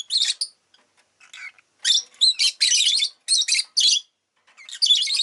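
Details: Shrill, grating chirps from a pet rosy-faced lovebird, delivered in uneven runs of short harsh notes with brief gaps, the calls loud and high throughout.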